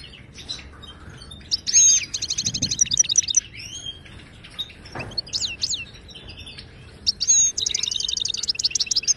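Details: European goldfinch from Morocco, song intended to prompt a silent caged bird to sing: bursts of fast rattling trills separated by pauses, with sliding whistles and a short buzzy note between.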